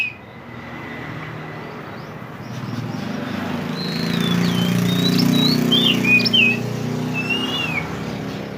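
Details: Mantenan bird from the mountains in a songbird-training recording, giving a series of wavering and looping whistled phrases and clipped chirps, set against a steady low rumbling background.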